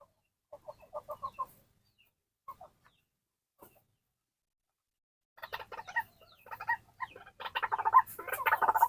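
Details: A captive white-breasted waterhen at feeding time gives a few short clucking notes, then after a pause breaks into a dense run of harsh, croaking, rapidly repeated calls.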